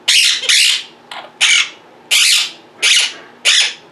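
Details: Domestic Quaker parrots sounding off in a room: loud, raspy squawks spaced about half a second apart, one softer shorter note among them.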